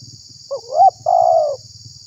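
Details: Spotted dove lure call meant to provoke other doves; a single phrase of a soft note, a rising hoot and a long, slightly falling purred coo, over low rumbling and a constant high hum.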